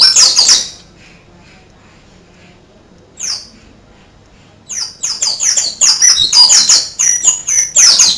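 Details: Oriental white-eye singing a canary-style song: a burst of high, thin descending chirps, a short note after a pause, then rapid sweeping twitters resuming after a brief silence.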